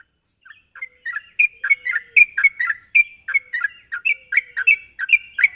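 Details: Sooty-headed bulbul calling to a rival. After a quiet start, bright bubbly notes repeat rapidly, each a short warbled chirp with sharp clicks above it, rising in loudness and continuing steadily.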